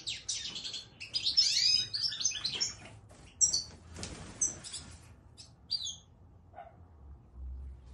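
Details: Goldfinch song: a burst of rapid, tinkling twitters and buzzy trills for about three seconds, then scattered single high chirps with pauses between, and a soft low rumble near the end.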